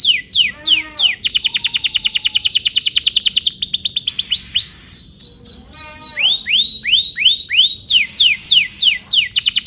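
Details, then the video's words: Tutor canary song for young canaries: a loud fast roll of repeated notes, then slower clipped whistles and arched rising-falling notes in tidy series, changing tour every few seconds. "PANCINGAN KENARI GACOR DURASI PANJANG UNTUK MASTERAN KENARI PAUD BELAJAR BUNYI DAN GACOR"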